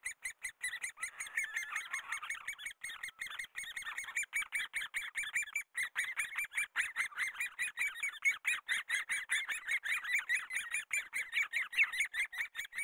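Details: Great spotted woodpecker during breeding in Korea, raising young: a long steady series of short, sharp, squeaky calls, about two to three each second, some overlapping, keeping an even pace throughout.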